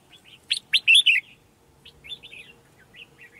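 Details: Female red-whiskered bulbul calling to make males sing: four loud sharp chirps in quick succession, then softer, spaced warbled notes trailing off.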